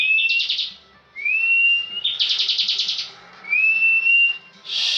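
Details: Bar-winged prinia in competition ngebren song: a sharp rising whistle leads into a rattling buzzy trill, then another upslurred whistle and the start of a new buzz. Delivery is steady and loud.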